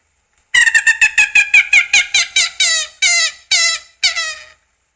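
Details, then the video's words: A Common Gallinule gives a loud, nasal, chaotic cackle: about fifteen harsh, chicken-like clucks, rapid at first, then slowing into longer, slightly falling notes over four seconds. "Did that help? The sound you heard was from a common gallinule."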